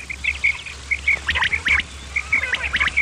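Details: Male and female quail calls used as a lure for quail hunting. Short whistled notes come in pairs and small groups, mixed with brief sharp chirps, over a low steady hum.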